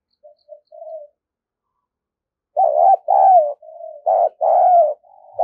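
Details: Vigorous decoy spotted dove used to provoke wild doves. A few soft, short coos are followed by a run of loud, deep, throaty cooing notes in uneven phrases.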